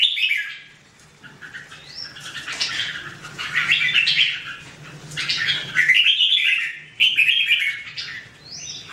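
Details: Red-whiskered bulbul with busy, overlapping warbled phrases, bright chirps and slurred whistles running almost continuously, rising to a louder burst near the end.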